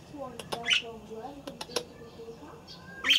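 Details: Budgerigars kept in an aviary: one brief bright chirp early on and another loud one at the very end, separated by quieter low warbling and clicking sounds.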